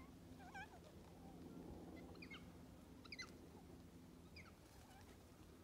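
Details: About 100 black cockatoos (likely Carnaby's) feeding in small groups on parrot bush seeds at Lake Clifton, WA, 25 April 2022: short, harsh, wavering calls at irregular intervals over a low rumble.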